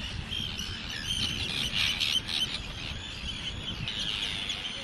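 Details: A nesting colony of Arctic terns at the Eider Barrage, right beside tourists, gives a dense chorus of harsh, grating high screeching calls that overlap continuously, over a low rumble of wind.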